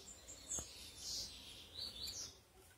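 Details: A female Saffron-billed Sparrow calls to excite and attract males, giving a few thin, very high chirps and short buzzy notes scattered over a couple of seconds against a soft background hiss.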